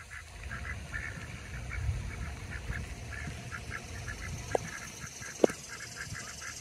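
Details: Pekin ducks leaving a lake in Oviedo, Florida quack eagerly as Muscovy ducks walk over to greet them: a loose, rapid run of short nasal notes, about one a second, over low background rumble with two sharp knocks.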